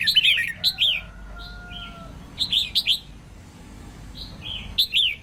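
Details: Female red-whiskered bulbul song meant to spur males into singing: clusters of quick, lilting whistled notes in three bursts, with a faint, long, steady low tone in the quiet gap.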